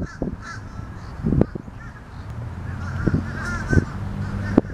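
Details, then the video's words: Noisy fish crows giving short nasal caws spaced a second or more apart, over loud low thumps and rumbling background noise. "Noisy Fish Crows"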